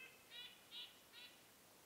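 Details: In a snowy winter forest, a nuthatch gives three short, nasal, high beeps about every 0.4 seconds over a quiet, faintly hissing background.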